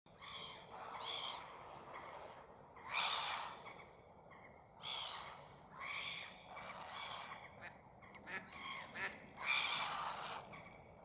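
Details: An angry grey heron, harassed by gulls skimming past its head and chasing it in flight, gives harsh, rasping squawks in bursts every second or two, mixed with the gulls' sharper cries, recorded as close as about 2 metres.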